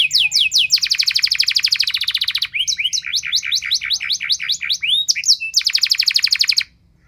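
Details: A loud, long canary song used as a lure to prompt other canaries to sing. Quick chirps lead into a sustained buzzy roll, then mixed looping whistles, and a second roll ends it abruptly.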